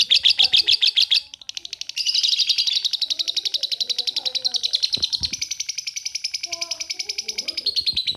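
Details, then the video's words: Long ngekek trill of a lovebird: fast, buzzy high chattering that dips briefly around one second, then resumes in a dense continuous stream of rapid pulses, with faint murmurs underneath. "LOVE BIRD NGEKEK PANJANG - KERETA UAP"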